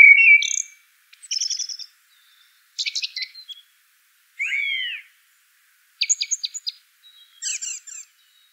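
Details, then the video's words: Common blackbird producing mostly high, scratchy twittered notes and rapid chip clusters, with one lower slurred whistle in the middle. Phrases are spaced about a second apart in quiet surroundings. "Bird Natural Sound.Common Blackbird"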